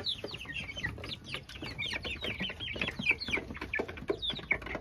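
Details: About ten backyard chicks shut in a cage peep in a constant, overlapping chorus of high, thin, downslurred cheeps, several each second, over a low background hum; the noise is judged mild enough not to bother neighbours.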